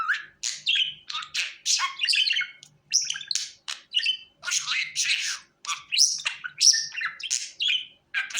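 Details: Lively budgie chatter used for hand-calling training: steady, fast bursts of squeaky, scratchy chirps and little whistles, rising and falling in quick succession.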